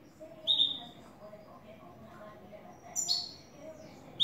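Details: New European goldfinch singing cleanly in the style known as "el tres vueltas": two piercing, descending whistled notes separated by a pause of about two and a half seconds, with low talking behind.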